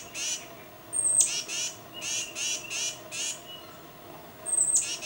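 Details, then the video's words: Tufted titmouse, camera-recorded with a Nikon D800 and long lens, calls to its mate in a string of harsh, scratchy notes broken by two piercing high thin whistles, fairly loud over a quiet setting. "Tufted Titmouse Calling Its Mate"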